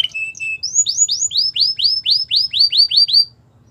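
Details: Canary training song: a couple of short buzzy notes, then about a dozen clear down-curving whistled syllables repeated evenly, and the song stops.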